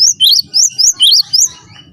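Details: A brief snatch of cinereous tit song meant as a master for training birds: six or so clear, high whistled chirps, stepping between two pitches, over faint low noise.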